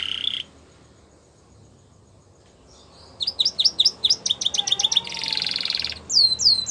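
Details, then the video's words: Gloster canary singing a training song: a short harsh note, a quiet pause, then a quick series of sharp chirps, a buzzy rattling phrase and a few rapid upward sweeps. "Gloster Canary Singing | Canary Training Song"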